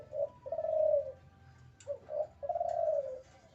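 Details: Male spotted dove in breeding condition cooing: two phrases, each a short hoot followed by a long, purring, low coo, separated by a pause of under a second, with a low background hum.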